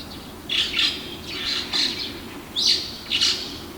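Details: A male red-billed starling calls in the early morning of 9 May 2020 from an apartment wall beside a river in Naka ward, Hiroshima, Japan, at a starling colony. Four loud, harsh, squeaky bursts come in pairs over a quiet low hum.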